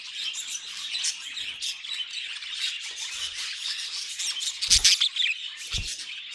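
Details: Pet budgerigar noises: high, scratchy warbling and chirps over several seconds, broken by two sharp knocking thumps near the end, one with a bright squeal.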